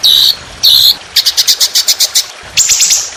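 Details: Indonesian trotolan songbird in fierce, rough, long-shot training song with water trickling: two high buzzy bursts, then a quick series of about ten bright clipped notes and a final drawn-out trill.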